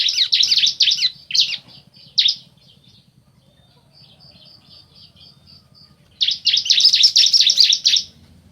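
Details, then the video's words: Male and female bar-winged prinia answering each other in rapid bursts of harsh high chirps, a quiet middle section of soft evenly repeated notes, then another loud fast burst. "Suara Asli Ciblek Jantan Betina Bersahutan"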